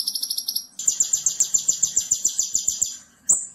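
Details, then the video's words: Konin singing in a training recording for other songbirds, with tembakan bursts: a quick high trill, then about twenty evenly spaced buzzy pulses, ending with a short sharp note after a pause. "Masteran Konin Jawara - Tembakan Extra Super Pedas - Masteran Konin Gacor Full Tembakan"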